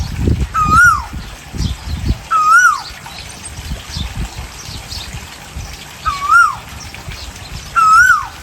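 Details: Asian koel singing, male and female sounds: a clear whistled two-part note, rising then dropping sharply, repeated four times at irregular gaps of about two seconds, over faint low rustling.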